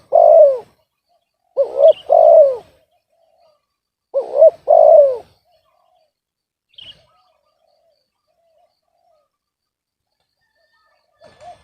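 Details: Spotted dove with an off-key voice: two full cooing phrases, each a pair of quick looped notes and a long falling coo, then several seconds of near silence broken by a couple of faint high chirps.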